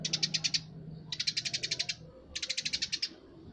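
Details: Eurasian tree sparrow singing vigorously: three bursts of rapid, evenly spaced high chirps, each burst lasting under a second, separated by short pauses, with a low hum underneath.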